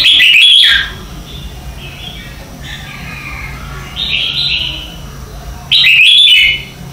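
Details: Red-whiskered bulbul morning song in the competitive singing style, used to train birds and stimulate them to sing; loud chirpy phrases open and close, with softer warbled whistles in between over a steady background hiss.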